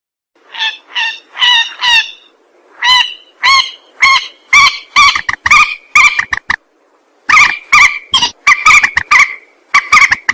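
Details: Rail lure call: loud, repeated, strained honking notes, some with a drawn-out ringing tail, about two per second in long runs broken by a brief pause.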